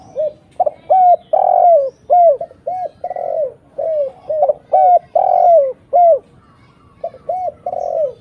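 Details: Spotted dove cooing steadily as a lure for other doves: clear, low, hooting notes in linked phrases, each with a long swelling coo among shorter rounded ones, repeating almost without pause.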